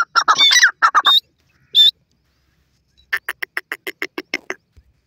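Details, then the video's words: Grey francolin (Gora Teetar) in the wild giving harsh, squawking bursts, then after a pause a quick run of about ten clipped, even notes in under two seconds. "Grey Partridge Bird Sounds,Gora Teetar Ki Awaz"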